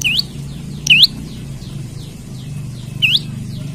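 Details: Olive-backed tailorbird calling to challenge a rival, used to lure or train other birds: three bright upward-sweeping whistled notes at irregular intervals over a steady low droning hum.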